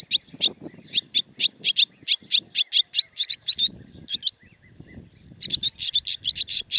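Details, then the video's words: Barn swallow from Siberia, a rapid twittering series of short high chirps repeated several times a second, a brief pause, then renewed chattering, with low rumbling background noise. "Деревенская ласточка. Голос ласточки."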